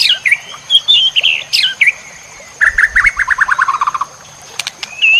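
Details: White-rumped shama masteran for training songbirds, full-fill version: a few high whistled phrases, then a fast descending trill of about a dozen notes, then short sharp high clicks. A steady high electronic whine persists.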